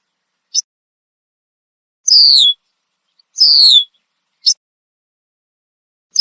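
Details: Loud alarm calls from a red-winged blackbird perched in a tree, Southern Ontario, Canada: high, down-slurred whistles about a second apart, mixed with short sharp clicks, with nothing else audible around them.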